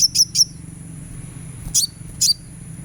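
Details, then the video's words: Sunbird therapy sound meant to encourage singing: two quick high chirps at the start, then two separate sharper notes sliding downward, all very high-pitched above a constant thin whine. "suara terapi kolibri supaya gacor"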